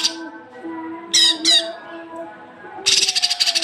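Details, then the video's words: Cucak kinoi masteran audio used to draw young birds into song: two quick sharp strident notes, a pause, then a fast harsh chattering rattle, with a low droning tone underneath. "masteran cucak kinoi untuk pancingan burung bahan"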